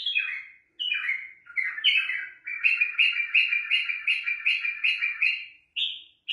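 A bulbul sings a lively run of bright, chirpy phrases, then a fast series of repeated notes, about one every third of a second, ending in a clear whistle.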